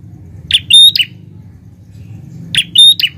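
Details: Prinia, a grey form called by its local name, singing busily: a loud three-part phrase of a harsh high burst, a thin pure whistle held steady, then another burst, given twice about two seconds apart over low background rumble.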